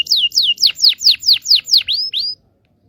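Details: Song of a local Indonesian canary, played to teach young birds to sing: nine loud high downslurred whistles at a steady pace, the last two rising and upturned, then silence.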